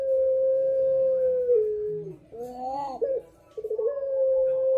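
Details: Turtle dove of the puter pelung type, calling in the telung segoro style: a long, steady, low hooting coo held for about a second and a half, dipping slightly, then broken notes before the drawn-out tone returns.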